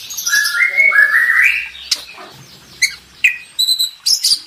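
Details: Oriental magpie-robin contest-champion master song: a rising warbled whistle at the start, then sparse sharp chips and short high notes.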